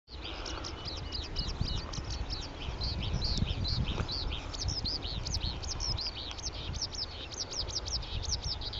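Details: Male Oriental skylark singing from a perch in Petchaburi, Thailand, filmed by digiscoping: a continuous, rapid stream of high chirping and trilled notes, with steady low rumbling noise underneath.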